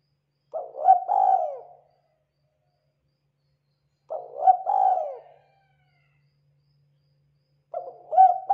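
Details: Local spotted dove from Indonesia, played as a lure for other doves: three cooing phrases about every 3.5 seconds, each opening with quick stuttered notes and swelling into a long, mellow, falling coo, with silence between.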